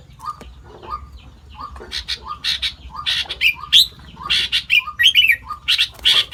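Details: Sooty-headed bulbul imitating more than five other bird species: lively chattering song with short mid-pitched slurred notes about once a second, between higher scratchy bursts and bright whistled flourishes, over a low background hum.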